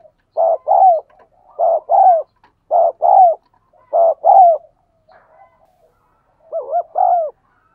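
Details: Urging 'thúc gù' coos of a spotted dove, used for training decoy doves and prompting wild doves to coo: four low doubled hoots at even spacing, a quiet gap, then a wavering pair.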